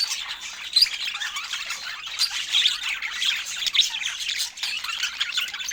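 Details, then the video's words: Budgerigars kept as pets during fruit time, a busy, scratchy twitter of high squawks and short warbled notes from overlapping birds, with a few louder sharp calls standing out. "Cute Budgie Love and Funny Sweet Sounds During Fruit Time"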